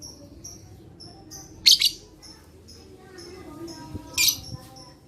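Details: Lovebird voice intended to prompt lazy lovebirds to sing: steady run of short high whistled chirps broken by two loud rasping screech bursts.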